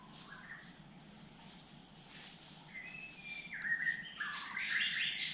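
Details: A dark-necked tailorbird in forest at Kulen National Park, near a pool where birds come to drink, calls with quick, high chirps and short trilled phrases that grow louder toward the end, over a low forest hum.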